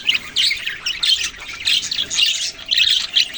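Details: Budgerigars chirping: a dense chatter of bright, high chirps and squawky warbles in quick bursts, with short dips between the louder phrases.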